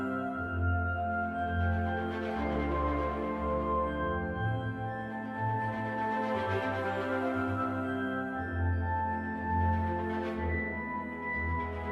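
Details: Soft ambient music with sustained tones and gentle swells, and no animal sounds.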